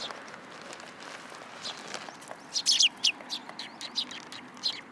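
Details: Sparrows perched on a hand at a Tenmangu shrine in July 2022: faint background chatter, then a cluster of louder, sharp chirps midway followed by scattered softer notes.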